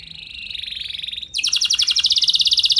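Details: Canary singing, used to coax other canaries into long song: a buzzy steady trill near 4k gives way to a fast, loud series of rapid repeated notes, about fifteen per second.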